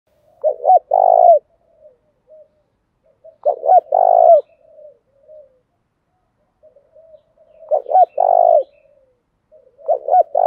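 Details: Spotted dove, a prized caged bird in the urging coo style, used to stir wild doves into cooing: a stuttered double note then a long, low drawn coo with a falling tail, repeated roughly every three to four seconds, soft murmurs between.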